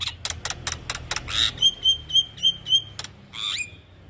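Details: ['Javan myna in a cage-bird training recording. A series of sharp clicks leads into five clear high whistles repeated about every third of a second, then a harsh rising squawk.']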